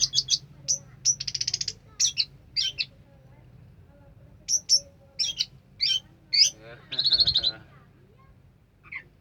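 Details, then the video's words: Orange-headed thrush in full 'sampai teler' song: a varied string of clipped high whistles and chips with brief pauses, broken by short rattling trills and a dense buzzy burst near the end. "suara kicauan burung anis merah sampai teler"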